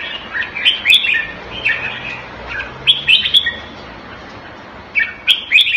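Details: Red-whiskered bulbul in a cage, kept Thai style in Singapore, February 2018: short chirpy whistled phrases come in spaced bursts against a noisy hissing background, with quiet gaps between them.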